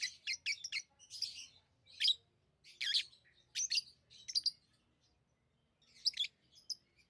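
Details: Pet lovebirds giving quick shrill chirps, a rapid run of three or four notes at the start, then single harsh squeaky calls roughly every second, a pause near the end before two more bursts.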